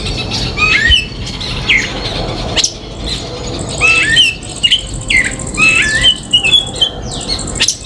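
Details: Common myna calling in a home yard in India: a rapid run of varied whistles, clicks and squawks, many notes sliding up or down, delivered in quick clusters over steady low background noise.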